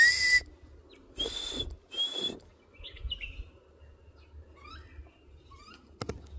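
A grey partridge gives three harsh, grating creaks in quick succession, followed by faint high chirps and a sharp click.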